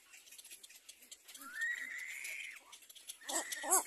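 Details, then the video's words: Little black cormorant chick crying while being fed by its mother: a long, thin, rising whine that levels off and then drops, followed by a few short, harsh, harmonic squawks near the end. "Little black cormorant baby bird cries duck feeds from mother"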